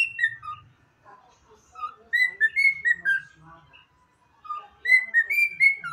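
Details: Pet cockatiel whistling the anthem, giving clear melodic whistles in phrases that rise and fall, separated by a quiet gap, with soft low murmurs at the start.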